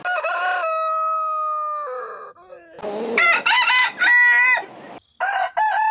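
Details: Morning crowing from roosters: a brief rising note runs into a long, flat, sustained crow, followed by several rough, stuttering crows with falling endings and a final sharp crow after a short gap.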